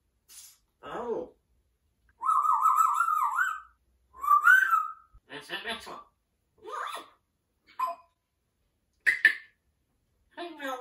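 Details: Male pet African grey parrot vocalizing: wavering sustained whistles mixed with many short speech-like syllables and clicks in a quiet room.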